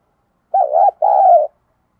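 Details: Decoy calling of a spotted dove, meant to make wild doves answer fast. Two mellow coos: a wavering first note followed by a longer, steadier drawn-out coo.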